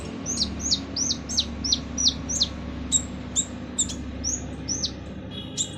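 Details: Van Hasselt's sunbird in a harsh master song for training other birds: a rapid string of near-identical high downslurred notes, about three per second, becoming sparser with sharp ticks, over a low hum.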